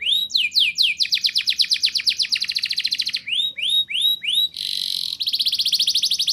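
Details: Rolling, shooting canary song played to prompt young canaries to sing: rising whistled sweeps, a fast trill, three clear upswept notes, then buzzy rapid rolls to the end.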